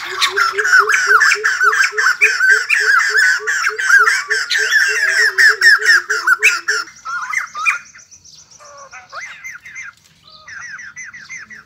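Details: ['White-crested laughingthrush song with dance: loud laughing chatter over a regular low double hoot from another bird for seven seconds, then softer scattered squawks and thin whistles.']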